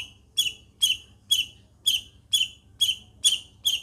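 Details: Long-tailed shrike from Situbondo repeating a single harsh, ringing note about twice per second, nine times, with little else audible.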